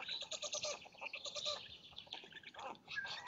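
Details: At a Polish black stork nest near Lodz at dawn, 30 May 2017, during a feeding by the male: short wheezy, rasping pulses in quick bursts, with a thin rising squeal near the end.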